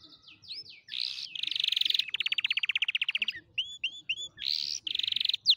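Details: Canary song used for teaching young canaries to sing: rapid rattling trills, a buzzy rolled passage, then clear upward-sweeping whistled notes repeated in short groups, with brief pauses between phrases.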